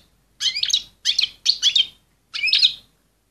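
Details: Excited female European goldfinch giving stimulating calls aimed at males: four quick, liquid twittering bursts, each a rippling cluster of high chirps, the last after a short gap.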